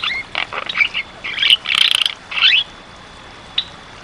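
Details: Jalak kebo, the Javan myna, singing gacor masteran: dense raspy squawking bursts running together for two seconds, then a few isolated sharp notes after a brief pause, with a thin constant high tone beneath.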